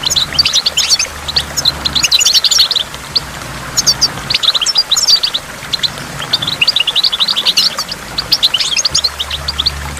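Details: Goldfinch singing beside a waterfall in bursts of fast, bright twitters and trills separated by brief pauses, with splashing water and a low rumble in the background.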